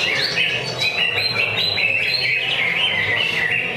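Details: Greater green leafbird (cucak ijo) singing at a regular Friday practice bird singing contest: a continuous, loud, fast warble of bright whistled notes that step up and down without pause, over a faint low hum.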